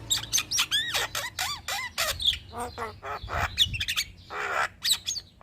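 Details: Caged Javan myna in loud song for master training, with arched whistled notes, bubbling chatter and coarse squawking bursts in quick irregular succession.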